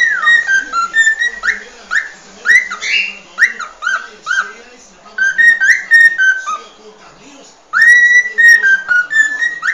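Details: Cockatiel whistling a training song for teaching another cockatiel to sing: rapid series of short whistled notes, many rising sharply, with a few harsher chirps and a brief quieter stretch before a loud held whistle.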